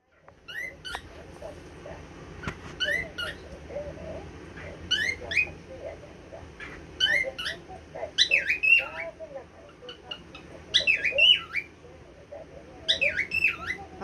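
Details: A recently adopted pet cockatiel repeats a squeaky, speech-like Korean greeting, "annyeonghaseyo" (hello), every few seconds.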